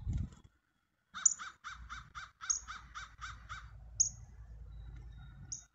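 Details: Pheasant calling in a quick run of about ten harsh, evenly spaced notes, each a hoarse layered bark, followed by a few thin high sharp peeps; low rumbling background noise throughout.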